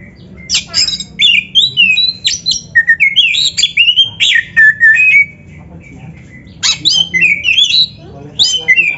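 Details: A training recording of an Oriental magpie-robin, meant to spur caged birds, gives loud varied whistled phrases mixed with harsh squawky notes in rapid bursts, a brief pause, then more.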